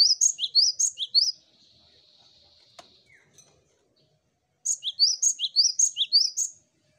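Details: A cinereous tit sings a lure song in rapid bursts of high, sharp chirping notes, several per second, with a quiet pause of thin steady hiss and a click between the two bursts.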